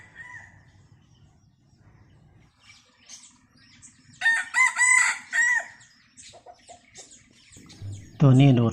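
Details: Decoy red junglefowl rooster crowing in cold, overcast weather. A short harmonic note comes first, then a loud, drawn-out crow in several pulsing syllables lasting about one and a half seconds, and a man speaks at the end.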